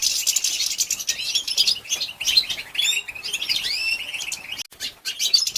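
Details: Female goldfinch calling to stimulate males: fast, continuous high twitters and tinkling chirps with slurred upward-sweeping notes, a brief gap near the end, then more twittering.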